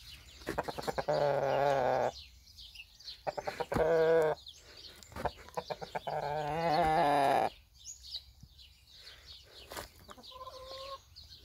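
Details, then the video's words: Annoyed rooster giving three long, harsh, harmonic drawn-out calls of one to two seconds each, separated by quick stuttering clucks, and a short higher two-note call at the end, with faint small birds chirping in the background. "Annoying my rooster"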